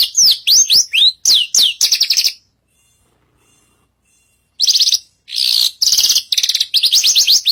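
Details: Vigorously singing Javan bushlark (branjagan) on a stage: quick series of sharply falling whistled notes, then buzzy trills, a two-second silence, and renewed bursts of rasping trills and descending slurs.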